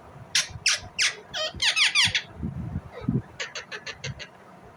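A rose-ringed parakeet gives a run of shrill, harsh chirps and screechy notes, several per second, with faint low rumbling noise behind.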